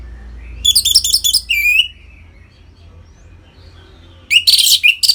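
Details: Orange-headed thrush song for stimulating caged birds: a rapid chattering phrase ending in a downward-slurred whistle, a long pause with faint low hum, then a dense harsh burst of jumbled notes.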